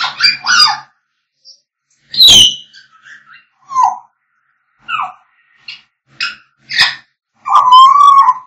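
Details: Whistling and singing by African grey parrots: scattered, varied calls, including a sharp high squawk, short falling whistled notes and a final longer warbling whistle, separated by brief silences.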